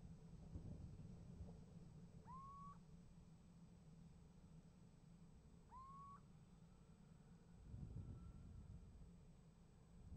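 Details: Little owl calling from a nest box on 28 January 2015 at 7:36 and getting an answer: two mellow whistled calls about three and a half seconds apart, each sliding up then holding level, over a steady low traffic rumble.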